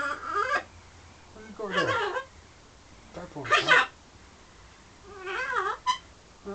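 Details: Pet parrot in London flirting with its mirror image and with birds outside the window: four wavering, warbled calls sweeping up and down, spaced about 1.5 seconds apart, in a quiet room.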